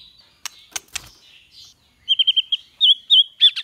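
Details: White-rumped shama song from a training recording of 'kéo thuốc lào' and 'hót giọng dây' singing styles: a few sharp clicks, then a quick run of bright, repeated chirping notes at a steady high pitch.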